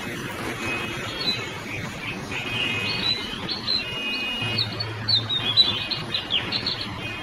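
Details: Wild Oriental magpie-robin near Banqiao park, Taiwan, sings a continuous, varied run of clear whistles and short sweeping notes over a steady low rumble of background noise.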